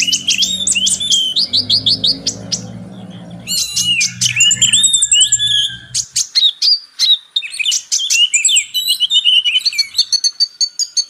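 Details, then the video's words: Purple-throated sunbird song used to tutor Oriental magpie-robins: shrill buzzy trills and rapid chips, with a steady low droning hum during the first six seconds that then drops away, leaving crisp high twittering. "MATERI KACER X KONIN (Kolibri Ninja) masteran ampuh untuk Kacer meningkatkan emosi"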